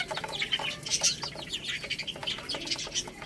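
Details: Baby chickens feeding on rice: a busy mix of thin descending peeps and rapid clicking, with several birds calling at once.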